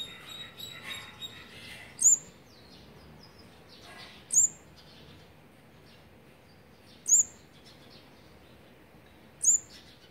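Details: Olive-backed sunbird, fourth brood, nestlings being fed on day 18, 8 March 2020: soft twittering at the start, then four sharp, very high chips spaced two to three seconds apart.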